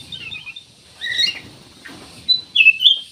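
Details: Black-naped oriole, locally kutilang emas, singing as a lure for other birds: rising and falling whistled phrases, then a bright, loud fluty flourish near the end.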